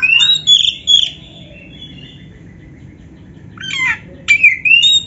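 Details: Oriental magpie-robin training song for kept birds: a bright whistled phrase, a long faint trailing note and quiet gap, then sharp downslurred chirps and clear whistles.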